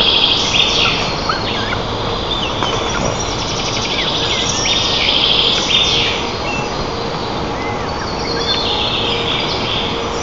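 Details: Nest-camera recording from a white-tailed eagle nest in Lower Kama National Park, Tatarstan, 25 June 2024, as the adults feed eaglets in the morning; high, thin chirps and short trills sound intermittently above constant rushing noise.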